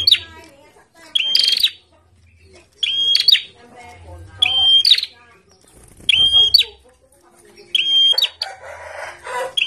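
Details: Kept bar-winged prinia singing actively while placed out in the sun: loud, high whistled phrases with buzzy trailing notes, repeated about every one and a half to two seconds, with a soft low hum between phrases.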